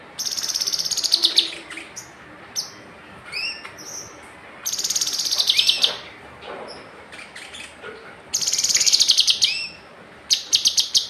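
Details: Kinoi bird singing: long, dense buzzy trills and rattling bursts, interspersed with short slurred whistles and chips, over steady background hiss.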